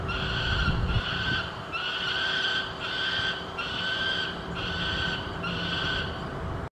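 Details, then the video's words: A peregrine falcon fledgling at the Richardson Complex calls for food with harsh, drawn-out wailing cries, about one per second, repeated steadily over a low background rumble. "Fledgling calling for dinner"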